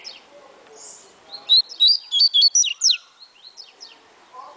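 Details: A double-collared seedeater from a breeder sings one quick atilharia phrase of about seven sharp, ringing whistles, stepping between pitches and ending in steep downslurs, with faint chirps of other birds around.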